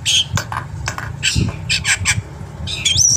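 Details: Black-winged myna delivering varied full song as a lure for other birds: rapid harsh squawks and chattering notes, ending in a clear wavering whistle, against a steady low hum.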